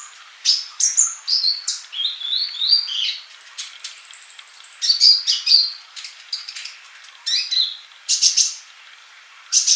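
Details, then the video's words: Sunbird, locally kolibri, in lively gacor song used as training audio: rapid high chirps and short whistled slurs, some rising and falling, then a sustained thin high note near the middle, ending in sharp clipped notes. "MASTERAN UNTUK BURUNG COLIBRI GACOR"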